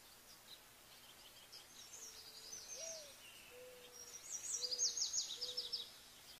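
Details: Olive-backed pipit with a loud, high, rapid trill of sharp repeated notes near the end. Earlier come fainter high notes and several soft, low, drawn-out hooting notes from another animal.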